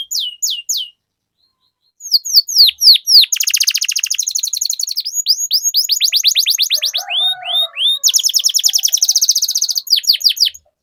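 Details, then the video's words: Canary singing a long rolling 'ngerol' master song, used as a lure for other canaries: high descending whistled sweeps, then fast buzzy trills, a brief warbled passage and more rapid trills, after an opening pause. "Suara Pancingan Burung Kenari Agar Cepat Gacor dan Ngerol, Masteran Suara Kenari Ngeroll Panjang"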